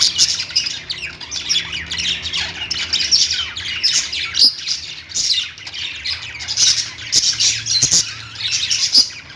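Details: Excited lovebird chirping, a thick mix of high squeaks, rasping squawks and quick twitters from many birds, steady and unbroken with occasional clicks.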